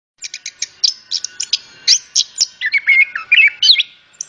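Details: Orange-headed thrush song used as a lure to prompt other birds to sing: a rapid run of short high chirps, then lower warbled, slurred notes near the end, with a steady faint hum underneath.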